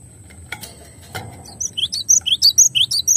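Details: Glatik batu, the cinereous tit, on a clear master recording: two soft knocks, then a quick series of bright, high chirps that alternate between rising and falling notes, rapidly repeated.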